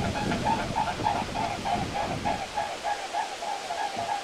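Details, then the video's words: Flying mute swans over European ponds, autumn or spring recordings from 2011 and 2017. A regular throbbing beat, about three pulses a second, holds steady while the low background noise fades out midway. "CYGNES Blancs/Envols et Vols"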